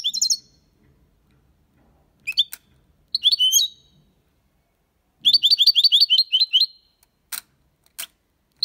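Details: Goldfinch singing the clean Málaga copy to stimulate young birds: bursts of high twittering and liquid notes, a sustained run of rhythmic repeated chirps, and a few sharp clicks.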